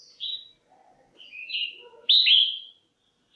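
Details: Female red-whiskered bulbul calling to stir males or for pairing: a soft whistled note, a slurred warble, then a loud bright falling whistle, with faint low chatter underneath.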